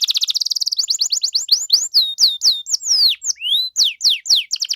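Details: Singing canary, played to make other canaries answer: a quick rapid trill opening into a series of sweeping downslurred whistles and sharp chirps repeated about twice a second.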